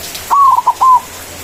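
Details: Loud white zebra dove in manggung song, used for calling rivals: one crisp phrase of a long slightly descending coo, two brief clipped notes, and a closing sustained coo, with a quiet background.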